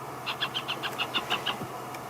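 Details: Baby hornbills begging parents for food from a nest cavity in a marula tree at sunset, as a parent lands to feed them, in Djuma, Africa: rapid thin, high chirps, about seven per second, over a low engine hum.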